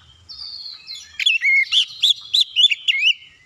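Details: Oriental magpie-robin song used to stir idle magpie-robins into song: a thin, drawn-out whistle opens a fast run of varied looping and swooping whistled notes.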